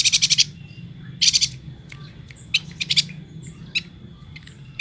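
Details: A yuhina, a bird endemic to Kalimantan, gives two quick bursts of high, rattling chatter, then scattered sharp single chips over a thin steady whine; recorded January 2020 as a training song.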